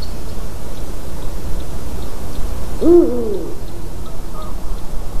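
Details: A Eurasian eagle-owl in a white-tailed eagle's nest, recorded 12 March 2019 at 18:26, gives a single deep, wavering hoot about halfway through, over a steady low rumble of wind.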